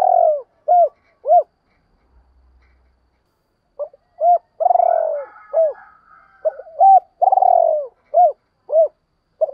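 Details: Spotted dove cooing, used to lure wild doves: short mid-pitched arched coos in quick groups, some longer drawn notes falling slightly, in bursts separated by a brief pause, clean with no other sounds.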